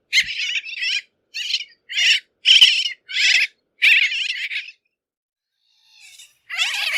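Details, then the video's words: Series of about eight harsh, rasping bridled tern calls at roughly half-second intervals, a pause, then a faint note and a louder grating call at the end. "Крачка бурокрылая. 5 часть. Голоса птиц"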